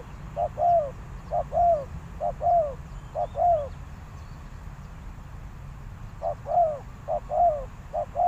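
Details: Decoy spotted dove luring wild doves; a burst of four two-part coos, a pause of about two seconds, then three more, each ending in a falling slur.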